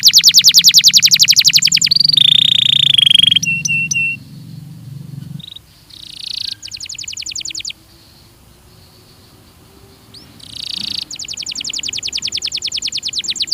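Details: Belgian canary training song: a rapid high trill, a steady buzzy tone, a quiet gap, then bursts of fast trilling again, with a faint low hum beneath.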